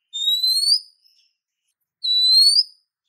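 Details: Female Oriental magpie-robin calling for a male, giving two drawn-out clear whistles that climb gently in pitch, each under a second long, separated by a pause; no background noise.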